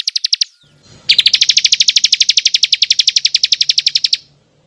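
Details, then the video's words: Bar-winged prinia lure call to attract birds: a short fast trill, a pause, then a loud, very regular rapid series of high pulsed notes lasting about three seconds. "suara pikat ciblek"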